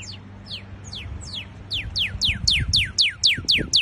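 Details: Northern cardinal (Cardinalis cardinalis), a North American songbird, singing a fast series of clear whistled notes, each sweeping steeply downward, about four per second and growing louder toward the end; faint low hum beneath.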